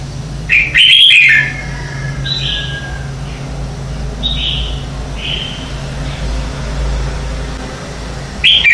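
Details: Morning song of a red-whiskered bulbul, a lure for training and sparking competition singing in kept birds: one loud chirpy warbled phrase early on, soft scattered whistles, and a final burst at the end over low steady hum.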